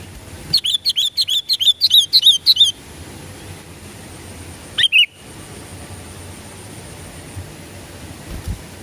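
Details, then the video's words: Sooty-headed bulbul lure song for coaxing birds to reply: a rapid run of about twelve sharp, high, rising-falling whistled notes over two seconds, then one isolated note after a pause, and later quiet background. "Pancingan burung kutilang 2 detik nyaut"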